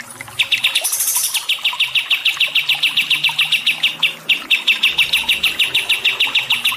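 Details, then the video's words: Songbird chirps on a water-therapy training track for stressed cage birds: a fast, steady run of sharp, bright chirps, about three per second, with a short higher hiss near the start. "TERAPI AIR DAN MASTERAN BURUNG SETRES"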